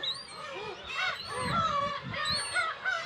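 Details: Black-tailed gulls, breeding colony of about 30,000 on Kabushima, Hachinohe, Japan, June 2020 with chicks, GoPro HERO8: drawn-out, wavering mewing cries layered over each other, with faint high thin notes and low rumble.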